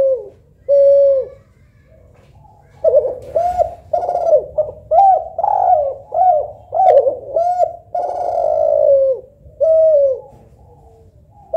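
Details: Spotted dove cooing, either a local tekukur or a Kelantan derkuku: one short coo, a pause, then a rapid string of arched, mellow notes about twice a second, ending in a longer sustained coo.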